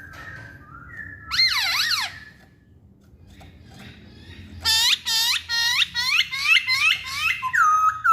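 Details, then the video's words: Masked laughingthrush giving loud, ringing, slurred notes: one wavering burst early on, then after a pause a rapid string of sharp, repeated whistled calls with a faint low background hum. "Kicauan Poksay Hongkong"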